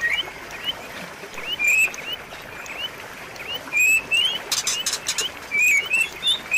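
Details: Training song of a white-rumped shama, meant to coax a silent shama back into song: a string of quick upslurred whistles, bright and clear, repeating irregularly about every second, with brief scratchy bursts partway through.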